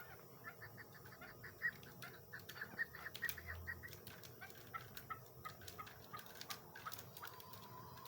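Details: A female chukar partridge kept as a hunting decoy bird gives a steady run of short, clucking notes, several per second, over a background of clicks and knocks.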